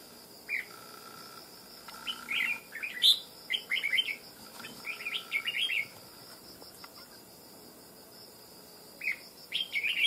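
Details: Red-whiskered bulbul freshly trapped from the wild for fighting, described as loud-voiced; lively bursts of quick warbling chirps in clustered phrases, then a pause and another burst, with a faint insect-like hum behind.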